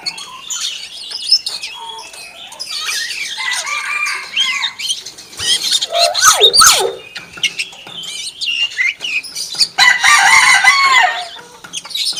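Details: Common hill myna said to mimic a chicken, giving rapid squawks, steep sliding screeches and buzzy whistled phrases over about twelve seconds.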